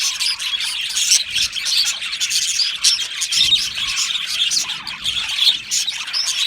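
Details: Colony of Australian budgies singing and chirping happily in an aviary, a thick chorus of twittering warbles, sharp chirps and occasional squawks without pause.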